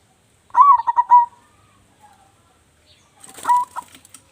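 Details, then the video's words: Loud-voiced local zebra dove singing actively, used as a lure bird: one full rolling cooing phrase of a rising note and pulsed coos, then a shorter second phrase masked by rustling, flapping-like noise. "perkutut lokal gacor suara besar"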